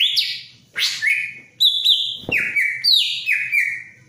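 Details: Loud song of a greater green leafbird eager to mate, in breeding condition: ringing whistled phrases, each a high note dropping in a quick slide to a steady lower tone, given in rapid succession with a brief harsh note midway.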